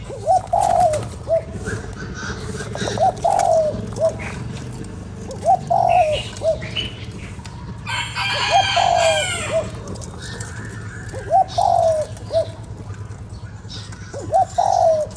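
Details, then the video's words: Spotted dove giving repeated three-part coos, played to stimulate a decoy bird. Each has a short note, a drawn-out slurred coo and a brief closing hoot. A rooster crows loudly midway. Low background rumble throughout. "Cu gáy kích bổi"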